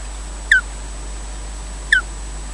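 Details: Osprey at its nest at Loch Garten, Scotland, during a slow nest changeover as one adult takes over from the other: two sharp, downslurred chirps about a second and a half apart against a steady low hum.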